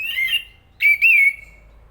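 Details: Thrush singing two loud whistled phrases. The first is short and wavering; after a brief pause the second is longer, with slurred notes that end in a level, fading whistle. Background is quiet.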